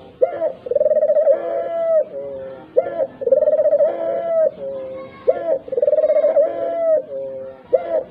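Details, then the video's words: Dove cooing played to set other doves calling, even mute birds; regular phrases roughly every two and a half seconds, each a short clipped note then a long rolling, pulsed coo ending in a lower soft note. "tekukur puter gacor pikatan burung walau bisu sekalipun"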